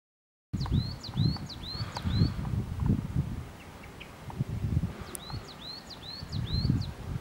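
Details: A Coal tit sings in a Netherlands neighbourhood in January 2016, two bursts of high, thin, quickly repeated two-note phrases, with a steady low rumble of wind or rustling underneath.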